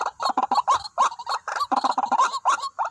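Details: ['Decoy-lured white-breasted waterhens, two birds drawn to a single spot; rapid, jumbled chuckling calls crowd together with brief upslurred notes, nearly continuous over three seconds.']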